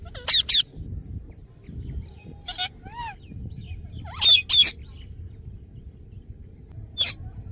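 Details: Ringneck parrot giving short, harsh, high screeches, mostly in quick pairs, with one brief rising whistled note between them. The calls come in scattered bursts over a low background hum.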